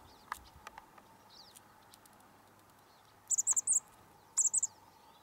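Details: Chickadees on Douglas Island near Juneau, Alaska, on March 19, 2020, giving very high, thin chirps in two quick clusters of three to four notes each, over faint scattered ticks and steady background hiss.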